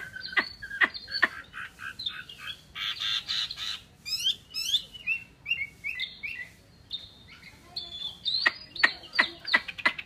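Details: Chinese hwamei delivering a rich, changeable song mixing sharp clicks, buzzy bursts, steep descending slurs and clear whistles, finishing with a rapid series of crisp, staccato notes.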